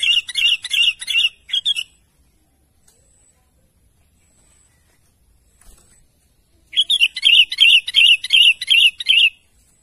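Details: Sooty-headed bulbul calling to its companions, giving rapid rhythmic runs of buzzy, chattering notes, one short series, a long silence, then a longer series of about eight notes.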